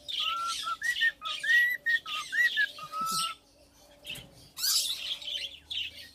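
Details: Three-year-old tame male cockatiel singing to its owner: bright whistled phrases with looping, wavering notes early on, then a hush broken by a brief squeaky note and rustling.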